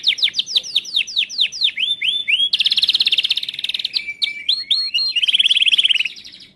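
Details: A canary, labelled Timbrado, sings a fast, varied training song: rapid descending sweeps, then a dense rattling trill, clear whistled notes and a buzzy rolling trill.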